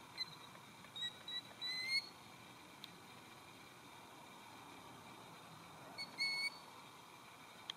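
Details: A talkative Killdeer, close to a parked observer at Northrup Point near Electric City, Washington, on 31 March 2020, gives short, high, sharp calls in two quick bursts, a few thin rising notes, then a pause and a second brief run.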